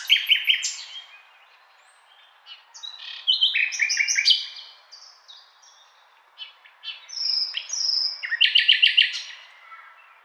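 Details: Nightingale in full song over about ten seconds: a fast opening rattle, quiet gaps, bursts of varied whistles and buzzy notes, and a final loud rapid trill of repeated notes.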